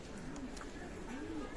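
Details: Domestic pigeons of a local Bengali flying breed at a loft; soft low cooing phrases, two short rising-falling coos heard, with faint background voices and room noise.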